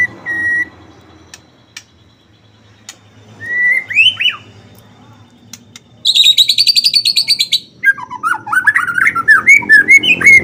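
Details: Lively white-rumped shama song meant to stir other shamas to sing: a lone whistle, then looping whistled notes, a rapid buzzy high trill, and a fast tumbling run of varied whistles over a low hum.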